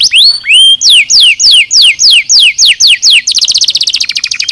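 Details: A canary's training song in the nozes style: two rising whistles, then steady downslurred notes roughly every quarter second, ending in a rapid high buzzing trill.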